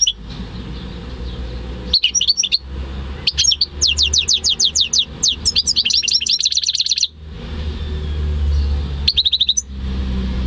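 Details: A home-bred goldfinch and canary hybrid recorded 11–13 May 2015 sings a long, loud trill of quick, sweeping high notes lasting several seconds, followed after a pause by another short trill, with faint low background rumble.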